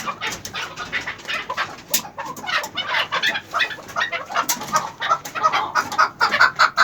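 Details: An 11-month-old chukar partridge gives rapid, harsh, chattering notes that grow more tonal and evenly spaced toward the end, repeated a little over twice per second.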